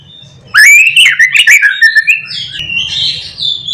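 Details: White-rumped shama in morning song, used to provoke other shamas into singing: loud, varied whistled phrases, rising then warbling and shifting in pitch, continuous after a brief silence, over a low steady hum.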